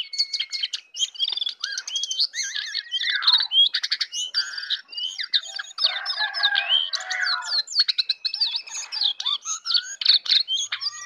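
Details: Morning song of a jongkangan, a dense, nonstop chatter of sharp clicks, trills and high whistled phrases that barely pause over the whole stretch.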